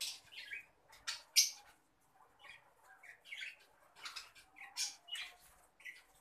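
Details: Fischer's lovebird, green adult, keeps up a busy stream of short squeaky chirps and squawks. They are fairly soft and irregular, with one louder screech early on.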